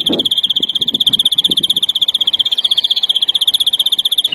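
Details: European greenfinch in the larguero song style, from a 2021 silvestrismo tutoring recording for young birds: a single fast, regular rolled trill held at steady pitch for over four seconds, with soft low knocks near the start.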